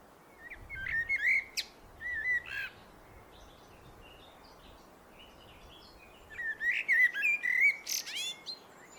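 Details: Common blackbird singing: two separate phrases, each a mellow, fluted warble that ends in a thin, high squeaky twitter, with a quiet gap of about three and a half seconds between them; faint background hiss.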